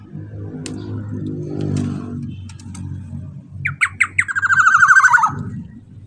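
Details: Black-naped oriole played loudly to provoke other orioles to sing: steady engine drone, then three short emphatic notes and a long harsh, buzzing, falling series ending abruptly.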